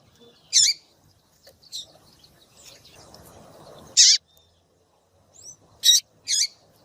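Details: Female rusty-collared seedeater in captivity, calling to excite a male: short, loud, high chip notes scattered irregularly, some in quick pairs, with faint slurred whistles between and a soft low rustle in the middle.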